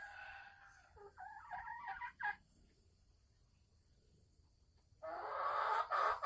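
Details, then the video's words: Caged Sumatran red junglefowl hen cackling before laying eggs, recorded 24 December 2020 in Sumatra: a burst of harsh, stuttering notes, a pause, then a louder, dense, raspy cackle toward the end. "Suara ayam hutan merah Sumatera Asli saat mau bertelur"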